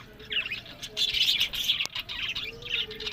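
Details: Budgerigars from a pet breeding setup in Larkana, Sindh, chattering in dense, fast twittering bursts, overlapping buzzy and chirped notes in waves about every half second, and a soft low tone drifting in at times.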